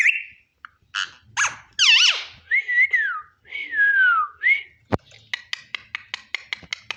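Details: Eating parrot producing a varied string of sounds: harsh chattering notes, wavering whistles that rise and fall, a long descending whistle, then a sharp crack followed by a rapid series of dry clicks roughly every fifth of a second.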